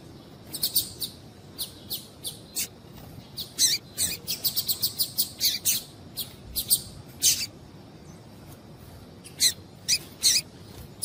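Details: Female double-collared seedeater call, used to stimulate males to sing: thin, high, sharp chips, singly and in quick bursts of several, irregularly spaced over quiet background.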